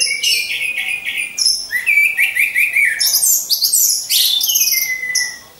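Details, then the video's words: Orange-headed thrush song from birds caged and hung side by side for 'ngecas' training: continuous high, lively phrases of chirps, trills and rising-falling whistles, barely pausing, fading out at the end. "Pancingan Burung Anis Merah"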